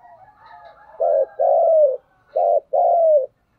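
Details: Strong, full 'thúc gù' cooing from a spotted dove used as a decoy. Two paired phrases are heard, a clipped low note then a drawn-out slurred coo falling slightly at the end, with faint softer sounds before.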